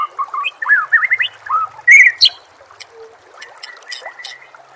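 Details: White-rumped shama song for training caged birds, set against nature sounds and trickling water: a quick run of varied whistled phrases, some slurred and rising, then sharp high notes and scattered fainter chirps over steady background hiss.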